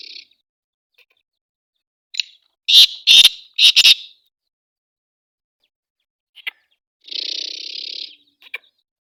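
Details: Captive first-season male Black Francolin in Punjab, recorded 28 December 2023, calling: three loud, harsh rasping notes in quick succession, then a drawn-out buzzy note after a pause, with a few softer clicks around them.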